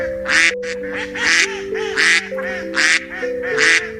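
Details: Five loud, raspy duck quacks, each about a quarter second long and spaced under a second apart, over gentle sustained background music.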